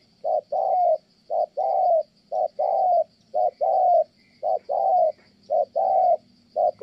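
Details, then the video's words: Rhythmic cooing of a spotted dove kept for trapping in Kon Tum, Vietnam: short-long coo pairs, the long notes smooth and slightly falling at the end, repeated about once a second, seven or so times. "Thổ Âm Tốt, đang gù ngon thì mái phá đám"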